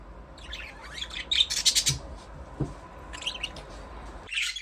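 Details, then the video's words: Budgerigar chattering: a dense run of scratchy, buzzy high chirps building to louder bright notes, a short lull, then more warbling chirps and a final burst. "Budgies parrot chirping sound"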